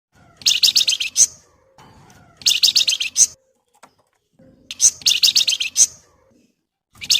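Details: Flamboyan singing energetically in a dense, agitated chattering style used to provoke other birds into singing: high buzzy rattling bursts about a second long, repeated roughly every two seconds, with soft low murmuring between bursts.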